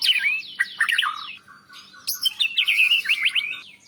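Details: White-rumped shama song for training and calming other birds: falling slurred whistles, a short pause, then a rapid series of bright chirped notes.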